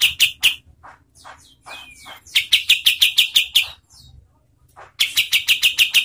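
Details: Kapas tembak bird used as master song for training competition songbirds and as a lure: bursts of rapid sharp chirps repeated about three per second, separated by softer scattered notes and a brief descending whistle, then another fast chirping run.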